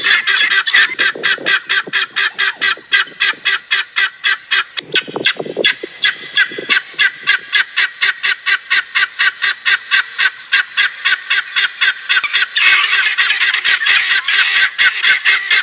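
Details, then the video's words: Guineafowl calling in a rapid, harsh, rhythmic series of grating notes, about four per second, sustained throughout with a brief lower honking break in the middle. "Listen to the Hilarious Sounds of Guinea Fowl"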